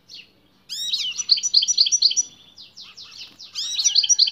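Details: Male European goldfinch singing hard on hearing a female beside it: a rich, fast run of sweeping chirps and liquid twitters, thinning to scattered notes before a renewed loud burst.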